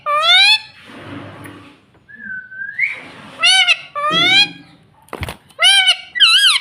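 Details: Pet ring-neck parakeet said to talk, saying "mummy": loud, harsh, wavering harmonic squawks and short calls, with one thin rising whistle and a sharp click, indoors.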